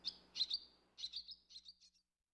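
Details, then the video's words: Soft, high twittering chirps from a barn swallow, two short bursts followed by a trailing series of fainter notes, then silence. "barn swallow with chirping sound"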